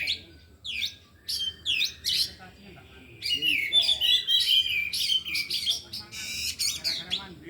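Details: Oriental magpie-robins, four of them, at afternoon practice, all singing and showing their repertoire. Spaced sharp chirps open the clip, then a loud continuous run of rich warbled whistles and rasping notes.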